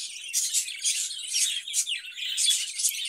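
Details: Budgerigars kept in a cage warble in a soft, steady stream of high chirps and buzzy trills, rising and falling in loudness about once a second.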